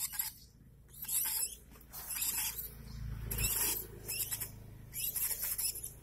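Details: One-month-old lovebird chick being hand-fed, giving harsh, noisy, rasping begging bursts in repeated bouts about a second apart, with handling noises.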